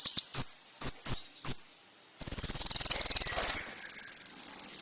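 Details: Konin master song for training: a few sharp high notes, a short pause, then a long fast rattling trill that rises slightly and holds steady.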